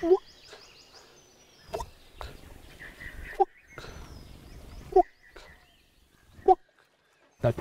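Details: Coppersmith barbet, a tiny bird calling from treetops in Bandhavgarh National Park, India, heard while waiting near a tiger on safari, gives low, hollow 'tuk' notes about every one and a half seconds; a man speaks quietly, faint higher chirps behind.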